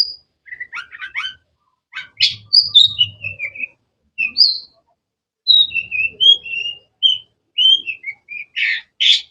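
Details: Long-tailed shrike singing a varied, melodious phrase: a fast scratchy twitter, then clear whistled notes sliding downward, short pauses between phrases and sharp high notes at the end.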